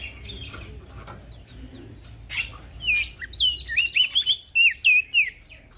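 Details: Male prinia singing strongly, used to tutor crested white-eyes: after soft background chirps and hum, a quick series of bright, twisting whistled notes.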